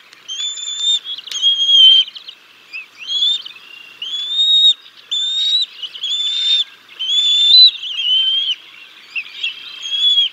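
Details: Bald eagles feeding chicks a fish at the Decorah North nest, 6 May 2022, father first, then mother: a long run of shrill, slightly wavering whistled notes, repeated roughly every second, with one sharp click.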